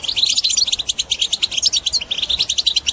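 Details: European goldfinch in full bitbita twitter for stimulating other birds to sing: tightly packed, high, scratchy chirps repeated several times a second without pause.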